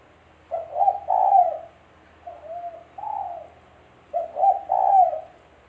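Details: Tekukur, the spotted dove, recorded as a trapping lure: three low cooing phrases, each a quick double note followed by a longer slurred coo, with a softer shorter phrase in between.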